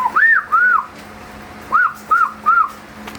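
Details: A talking pet hill myna from the Chittagong hills, urged by people to whistle, gives five clear, arched whistled notes in two bursts, each rising then falling, with a faint steady hum behind.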